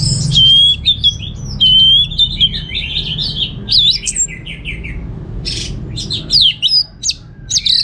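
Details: Orange-headed thrush from North Bali singing a master song: a long run of fluty whistles and slurred notes, then scratchier descending notes and a few sharp, high upslurs, with a faint hum behind.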